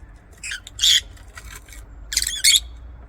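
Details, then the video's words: Lovebirds in an aviary making rasping, buzzy squawks, two harsh bursts followed after a pause by another pair, over low background hum. "LOVEBIRD SOUNDS"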